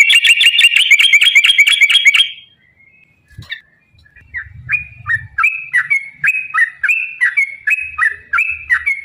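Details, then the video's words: Yellow-vented bulbul fighting song used to provoke other bulbuls: opens with a dense, buzzy, harmonic-rich trill for two seconds, then a pause, then a run of clear whistled notes, each dipping down, at a steady pace. "trucukan gacor TARUNG ROPEL PANJANG pancingan trucukan agar bunyi"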